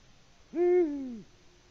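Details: Male Eurasian eagle-owl, Latvia, 6 March 2019, calling for a female with no reply, picked up by live camera: a solitary deep hoot with a swift rise, a sustained peak and a drawn-out falling tail, against faint background hiss.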